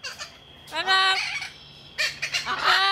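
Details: Talking parrot at Jungle Island, Miami, Florida, recorded in November 2010: several nasal, voice-like, harmonic utterances in short phrases, some rough and breathy, over a steady low background hum.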